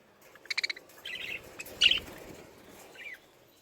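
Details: Lovebirds of the genus Agapornis give a quick burst of shrill, evenly spaced chirps, then a few buzzy notes, a loud squeaky call near the middle and one last short chirp, against a quiet background.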